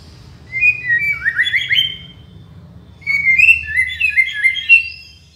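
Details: White-rumped shama, a master song recording used for training and luring birds: two bursts of rich, varied warbled phrases with rapid slurred whistles and trills, separated by a short pause, over a faint low hum.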